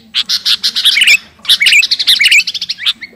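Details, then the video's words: Garuda-type sooty-headed bulbul in full song, calling to a rival: two dense runs of rapid, sharp, bright chirps, each lasting about a second and a half, with a short pause between them. "Burung kutilang garuda gacor memanggil lawan"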